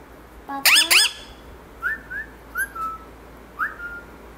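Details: Pet parrot being coaxed by its owner to say "papa": a burst of harsh, speech-like harmonic squawks, then a run of short clear whistles rising and then levelling off, spaced roughly half a second apart, over faint room hum.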